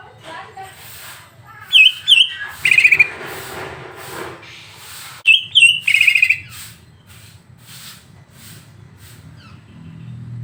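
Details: Greater green leafbird song for provoking another leafbird: two bursts about four seconds apart, each of quick upslurred whistles followed by a rolling trill, with faint clicks and low hum between.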